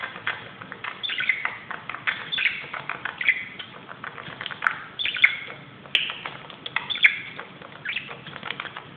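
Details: Budgerigar acting wild on a closet, keeping up soft continuous chatter of scratchy chirps and little whistles, with a couple of faint clicks.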